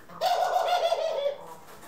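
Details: One harsh, buzzy, rolling note of about a second, steady in pitch then falling slightly at the end, from pet doves housed indoors (Ringneck, Senegal and hybrid), April 25, 2021.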